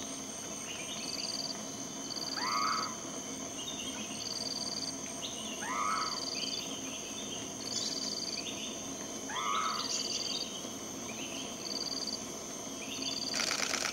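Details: Blyth's frogmouth (Batrachostomus affinis) in moist forest gives three upslurred-then-downslurred whistled notes spaced several seconds apart, set against loud rhythmic insect pulses and buzzing.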